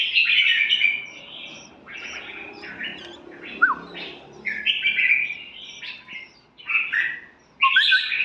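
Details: Red-whiskered bulbul song: lively bursts of bright, chattering, warbled phrases, repeated with short pauses, with a brief downslurred whistle in the middle.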